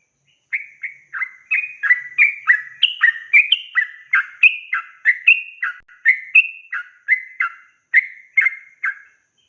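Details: Yellow-vented bulbul in a long, rapid 'ropel panjang' song used to tutor raw and young birds: a dense run of short, bubbly, slurred notes, each dipping or rising, delivered about twice a second with brief pauses between phrases.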